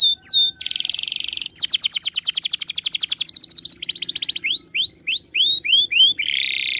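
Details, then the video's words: Canary master song meant for training birds: sharp whistles, then long fast buzzy rolls in shifting pitches, followed by a string of rising, whistled upswept notes and a final buzzy trill. "MASTERAN KENARI"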